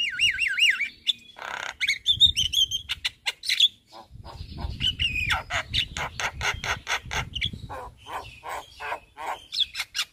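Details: Javan myna in daytime song in front of a house, unloading its full repertoire: wavering warbled whistles, harsh squawks, dense clicking chatter and rising whistles, with low rumbling background noise.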